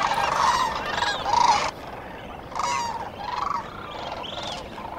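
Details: Sandhill cranes at dawn, Cosumnes River: loud rolling, gurgling bugles from close birds in two bursts, then quieter trumpeting with a distinct upward-curving note, faint flock chatter beneath.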